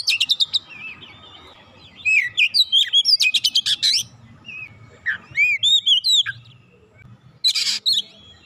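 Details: Oriental magpie-robin song meant to lure a stalled kacer into singing: rapid trains of sharp clicking notes mixed with looping whistled phrases, with pauses between bursts and a low background hum.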